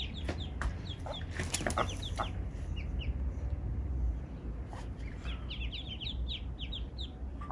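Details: Eastern spot-billed duck mother with ducklings that strayed into a spot with no ponds, rivers or waterside nearby; many high, downslurred peeps overlap in quick succession, mixed with sharp clicks and knocks and a steady low hum.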